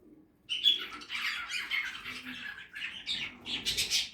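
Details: Budgerigars feeding in a backyard aviary: dense, scratchy chatter of overlapping chirps and squawks, starting after a brief quiet moment and continuing without pause.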